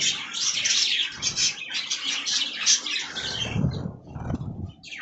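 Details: Budgerigars at fresh green leaves chatter in busy high chirps for about three seconds, then the twittering thins amid low fluttering and rustling.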